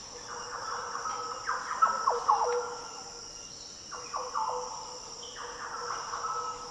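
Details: Deep, fluty Green Oriole song in Australia's Daintree rainforest. Several liquid phrases slur downward and then rise again. A constant high-pitched insect hum carries on throughout.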